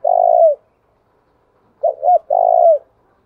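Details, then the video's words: ['Spotted dove coo used to stir up rival males. A long rolling note fades downward, then after a pause come two quick arched coos and another long vibrating note.'] "tiếng cu gáy kích bổi"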